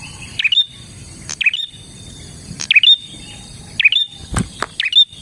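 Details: Bar-winged prinia song meant to lure other prinias: five swooping chirps with a bright high flick at the end, about a second apart, with a couple of sharp clicks near the end.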